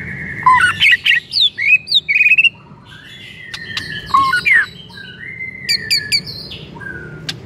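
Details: Varied whistled song of a white-rumped shama, played to provoke another shama into singing: rich rapid phrases of fluty notes and slurs, a brief lull, then more scattered whistles and sharp ticks over low background noise.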